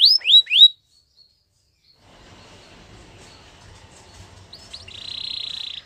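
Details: Canary singing: three quick, loud down-slurred whistles open the phrase, then a near-silent gap with faint background noise, and finally a high, steady buzzy trill begins.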